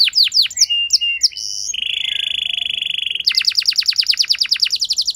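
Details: Canary song used as a lure to make a less eager canary respond and sing at length; varied phrases of fast down-slurred notes, a sustained buzzy trill, then a rapid run of sweeping chirps.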